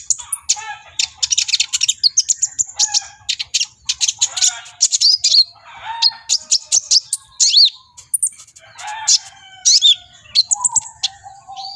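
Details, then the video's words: Brown-throated sunbird, the kolibri ninja, singing hard in an excited, displaying state; long, busy stream of rapid high chirps and twitters broken by brief pauses and occasional thin downslurred whistles. "BURUNG KOLIBRI NINJA GACOR EMOSI || NGOBRA TELER"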